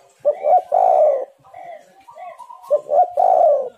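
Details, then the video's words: Spotted dove calling, a recording used as a lure to make wild spotted doves call: two full cooing phrases, each of short clipped notes then a long rolling coo, with softer whistled notes from other birds between them. "tekukur super gacor suara untuk pancingan semua burung"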